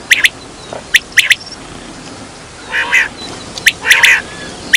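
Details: Quail heard as a hunting lure, with crisp, high clipped notes in pairs, then two longer harsh, nasal bursts, and a final sharp note, faint hum below.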